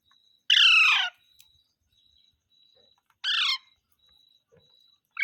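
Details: Green parrot voicing mitthu mitthu: a long raspy descending squawk, a shorter hoarse note about two and a half seconds later, and the start of another at the end, with a thin constant whine behind.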